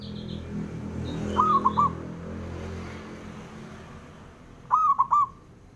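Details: Local male zebra dove giving its provoking call to draw rival replies: two short bursts of four or five rolling, mellow coos about three seconds apart, over a steady low rumble of traffic-like background noise.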